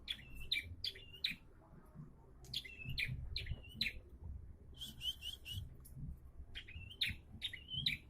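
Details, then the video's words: Bar-winged prinia song in repeated clusters of two or three sharp high chirps with short wavering tails, groups separated by brief pauses, one faster run in the middle, low rumble beneath. "KICAU PRENJAK ATAS MULAI RAJIN"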